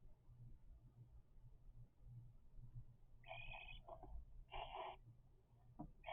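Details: A low hum and quiet room noise, then three-week-old cockatiel chicks break in with short, hoarse, grating rasps, two half-second bursts and a final call just starting.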